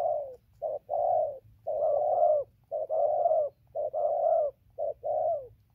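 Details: Wild-caught spotted dove, recorded 15 November 2020, cooing continuously as it comes down from a tree to the ground. Low mellow coos run in a steady chain of short and long notes, almost without pause.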